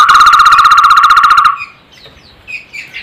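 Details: Strange-sounding but melodious barbet call: a loud, fast, machine-like rattle of even pulses on one steady mid pitch lasting about a second and a half, followed by quiet high chirps from other birds.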